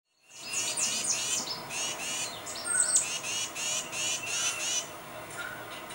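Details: Tufted titmouse calling its mate: a quick run of harsh, buzzy, high descending notes, about three or four a second, then a pause and a second run of similar raspy notes. Faint background hiss.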